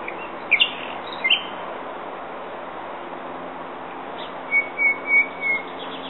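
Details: Common nightingale song: two brief high chirped notes, a pause, then a run of four clear, even whistled notes repeated about every third of a second, all over a steady background hiss.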